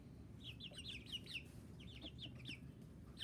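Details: Young chickens cheeping: sharp, high, descending peeps in irregular clusters, many chicks calling at once, with a continuous low background rumble.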